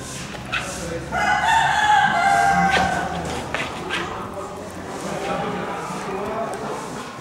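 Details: Rooster crowing at a Normandy poultry breeds championship held in a covered poultry market hall at Gournay-en-Bray, France, in December 2016; one drawn-out, harmonic crow, with crowd murmur and other fowl noise around it.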